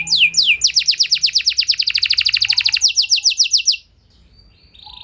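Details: Canary singing as a trigger for other canaries: two swooping notes, then a long rapid trill of repeated sweeping syllables, stopping abruptly into near silence with a faint sound at the end.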